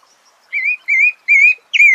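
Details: Four clear whistles from a sabiá thrush, three steady level tones followed by a sharper downward-slurred final note, evenly paced over about a second and a half.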